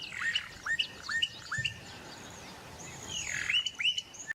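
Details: Calling Bokmakierie in the Karoo, giving a run of four rising whistled notes about half a second apart, a longer slurred whistle, then two more upswept notes.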